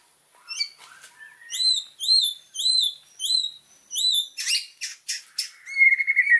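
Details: Singing white-rumped shama recorded as master song for training birds: a run of five similar upslurred whistles about half a second apart, followed by harsh noisy notes and a closing low buzzy trill.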